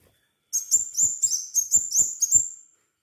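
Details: Crimson sunbird in full active song, played as a lure to encourage others to sing. Seven evenly spaced bursts of shrill, high twittering notes, about three per second, in a clean, quiet recording.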